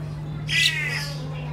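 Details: A single harsh, grating squawk lasting a fraction of a second from a pet crested myna at home in the Philippines, over a low steady hum.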